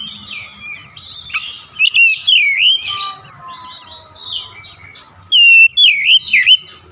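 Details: Soft, rambling whistled warble from an Oriental magpie-robin building into loud, sharply bent whistles near the end, over a low hum. Intended to rouse a silent, out-of-form kacer.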